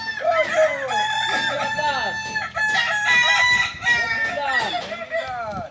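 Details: Kukuak Balenggek rooster, an ornamental breed native to Solok, West Sumatra, crowing at a practice contest: a long chain of rising-and-falling harmonic syllables lasting over five seconds, overlapping with other crowing roosters.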